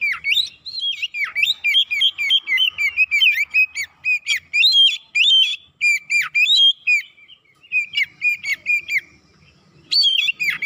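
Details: Oriental magpie-robin lure song meant to provoke birds into singing: rapid, continuous run of loud whistled notes, many sharply slurred and chattering, with a brief gap before the end.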